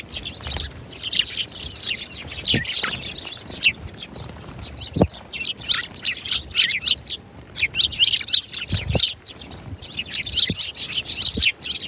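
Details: A group of sparrows keeps up a busy chorus of sharp, high chirps that come in waves, with some louder stretches and brief lulls, plus occasional low thuds in the background.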